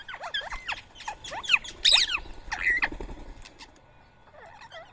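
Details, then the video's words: Rose-ringed parakeets at a feeding site in Coimbatore, India, morning of 31 March 2024, eating soaked boiled rice; a quick run of hooked, downward-swooping screeches, then fading softer chatter. "Indian Ring Neck Parrot Food Feeding"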